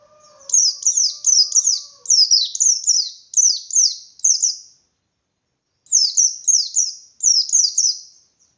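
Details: Provocative ngalas song of an Indonesian white-eye, used to make other white-eyes fight: rapid high falling chirps in two runs, with a steady lower whistle-like tone in the background during the first two seconds.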